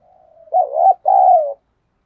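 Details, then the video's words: Decoy spotted dove in captivity calling to draw in wild doves: a soft drawn-out lead-in note, then two loud, rich, throaty coos of nearly even length, the second slightly falling at its end. "Chim Cu Mồi Thúc Bổi Và Gáy Gọi Hay/ Tiếng Chim Cu Gáy Thúc Gù Căng"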